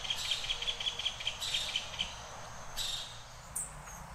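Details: A male green kingfisher (Chloroceryle americana) in Costa Rica gives a rapid series of dry, high ticking clicks, about five per second, then a couple of harsher bursts follow.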